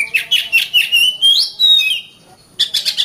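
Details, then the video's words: Oriental magpie-robin song for tutoring other songbirds: rapid chirped notes flowing into a long sliding whistle, a short silence, then a quick burst of repeated high notes. "Burung Kacer"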